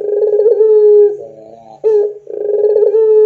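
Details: Barbary dove of the pelung type, used as lure audio to tutor doves: a throbbing, slightly pulsing coo, a soft rolling interlude, then a renewed long coo.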